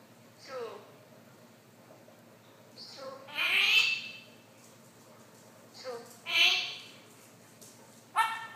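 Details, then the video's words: Young Congo African grey parrot, aged one and a half years, speaking in a series of raspy, human-like phrases with gliding, slurred syllables, pauses between them and a sharp squawky note at the end. "Congo African Grey talking at 1 1/2 yrs old"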